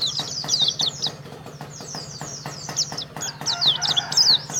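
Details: Contest champion Oriental white-eye from Karawang delivers bursts of bright, high chattering notes that swell and fade, with steady rhythmic ticking beneath and a low electrical hum.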